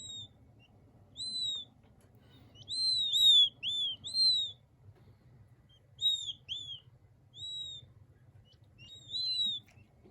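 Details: Soothing calls of king quail chicks: clear, high, arching whistled peeps, some in quick overlapping bursts of several, others spaced out, over a faint low background hum.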